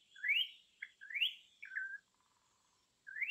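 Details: Song of a Campo troupial kept as a master recording: two upslurred whistled phrases, each followed by a short slurred note, then a pause before another rising note begins.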